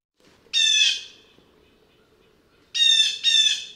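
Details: A blue jay utters one loud, buzzy squawk, then after a silent gap a rapid pair of equally rough, strident calls.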